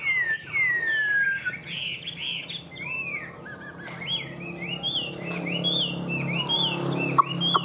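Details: Tame caged Chinese hwamei giving a varied song of clear whistled phrases, long descending slides, then quicker looping notes. A low hum runs throughout, with occasional knocks in the background.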